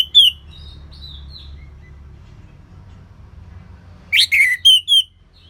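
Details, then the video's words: Orange-headed thrush song in the ngeplong lemas style, used as a lure recording to get birds singing: a bright whistled note, a pause with low background hum, then a quick burst of rising and falling whistled phrases. "ANIS MERAH Ngeplong Lemas"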